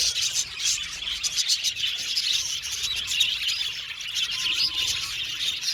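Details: Budgerigars in a colony aviary, described as happy, keep up a thick, high chirping chatter of buzzy warbles and short squeaks, with a few clearer whistled notes later on.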